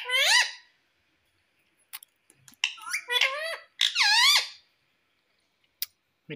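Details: Indian ringneck parakeet kept as a pet in India, uttering a few squeaky harmonic syllables with rising and falling pitch, separated by short gaps and faint clicks.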